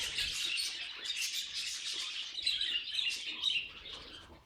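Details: Continuous budgie warbling from a pet bird: rapid squeaks, clicks and chirrups tumbling together, loudest in the middle and fading toward the end.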